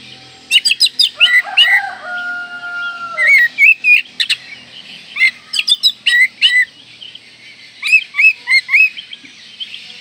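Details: Oriental magpie-robin singing a luxurious, fill-in-packed song to keep breeding fervour and anger opponents: dense bursts of sharp chirps and whistles, an early held pure tone, then repeated whistled phrases throughout.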